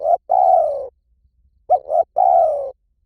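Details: Spotted dove calling in the Hliw Tan style, used as a lure to train another dove to call back. A short note, then a long steady coo, then a double note and a second long coo, mellow and low, with no other sounds.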